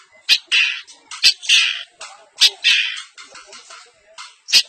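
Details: Long-tailed shrike, semi blangkon type, giving its isian mimicry in an East Javanese champion style. Loud harsh rasping bursts alternate with sharp snapping clicks, repeated roughly every second with quieter scratchy notes between.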